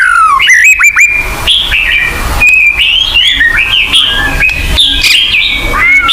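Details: White-rumped shama song meant to lure kept birds into singing: falling and rising clear whistles, a burst of rapid clicks, then varied whistled phrases.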